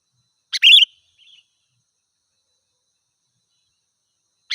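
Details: Vigorous sooty-headed bulbul song for luring wild birds: a single chip-and-warble phrase, a faint soft follow-up note, then long quiet before another phrase begins at the very end.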